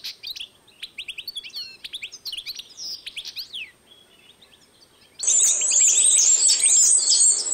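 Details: European goldfinch x canary hybrid, 2012, singing a rhythmic series of sharp chirps and slurred whistles, then falling quiet before a sudden loud, dense, continuous high trill.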